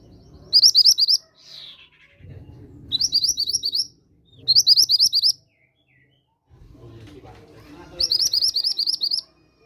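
A mantenan gunung sings short, high, rapid bursts of chittering notes, each about a second long, repeated every few seconds over a low background rumble.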